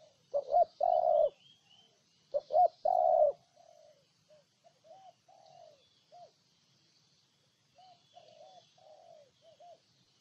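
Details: Spotted dove from Ninh Thuận, Vietnam, giving two loud close coo phrases of short paired notes and a long held coo. Fainter distant cooing from another dove follows.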